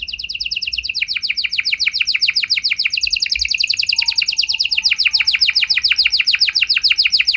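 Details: Gacor canary singing a special lure song to make other canaries respond; a fast, steady roll of down-slurred notes changes tour midway and runs on evenly, with a faint low whistle in the background.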